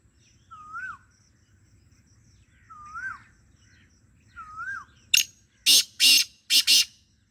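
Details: Call of a black francolin: one sharp note, then three loud, gravelly, buzzing rasps, the last two closely paired. Three quieter slurred whistles from another bird come first.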